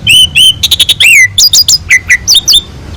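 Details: Asian pied starling singing a quick sequence for tutoring other birds: clear whistled notes, a stuttering run of short pips, a long falling whistle, then paired descending slurred whistles.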